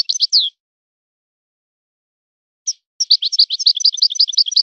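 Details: European goldfinch singing in a Moroccan 'son of the forest' style: a short twittering burst, a pause, then a fast run of chirpy, slurred high notes, with a quiet background.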